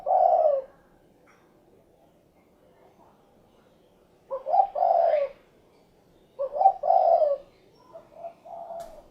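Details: Spotted dove, called derkuku, producing low mellow coos: a single long note, then after a pause two phrases of a clipped note leading into a sustained coo, with softer coos at the end.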